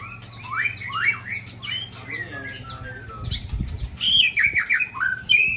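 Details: Shamas of Aceh, Indonesia: a Sabang bird attacked by Ujong Pancu and Tangse white-rumped shamas. Fast slurred whistles and chips, a brief low thump partway, then louder ringing whistled phrases repeated in quick succession.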